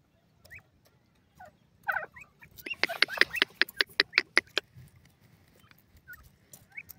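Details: A francolin (teetar) calling: a loud burst of about ten sharp, rapid clicking pulses in under two seconds, with scattered softer whistled notes before and after in an otherwise quiet setting.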